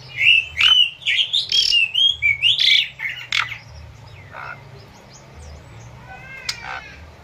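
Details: Asian pied starling in lively song, prepared as training material for captive birds with added river sounds: a rapid string of loud warbled, slurred whistles and chirps for three seconds, then softer sparse notes and a squeaky phrase.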